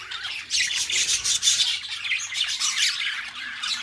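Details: A pair of pet budgies warble in an unbroken stream of high, rasping chirps and squeaky chatter. The sound is busy and noisy throughout, over faint low rustling.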